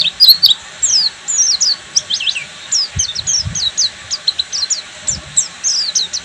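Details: Ngeriwik-style singing from a Buxtomi-type Oriental white-eye: a steady flow of piercing high, downslurred chips, roughly three or four per second, with brief soft thumps in the background.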